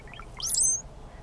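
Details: One of three male brown-headed cowbirds displaying in springtime, May 8, at Condie Nature Refuge, south-central Saskatchewan, Canada: soft low gurgles, then a sharp high whistle sliding upward and fading, lasting about half a second.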